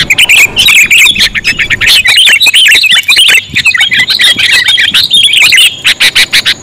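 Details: Sooty-headed bulbul lure sound: excited, squabbling chatter of fast, liquid, inflected notes, thinning toward the end into a string of sharp, evenly spaced clicks.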